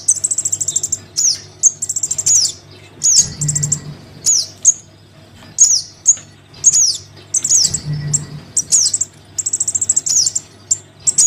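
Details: Crimson sunbird chick calling its parent, used as a lure for sunbirds reluctant to come down: very high thin chips and rapid trilled bursts near the top of hearing, with sharp descending slurred notes, in irregular clusters over a low steady hum.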